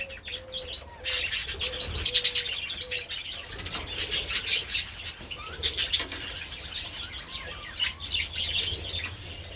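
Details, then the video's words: Sunlit budgies eating treats on 27 February warble and chirp in a busy, overlapping stream, while a soft, level cooing repeats about five times in the background early on. "Adorable budgies enjoying treats in the sun"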